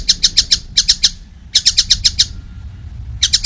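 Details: Young collared kingfisher, still small but already calling vigorously, gives short bursts of four or five harsh, rasping notes separated by brief pauses, with a faint low hum beneath.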